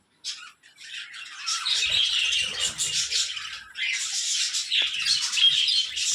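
Budgerigars chatter in a busy stream of high, scratchy squawks and chirps, several birds calling at once.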